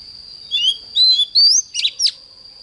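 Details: Oriental magpie-robin morning song, for training: a few separate rising whistles and short buzzy notes, spaced by brief pauses. A constant high tone is heard behind.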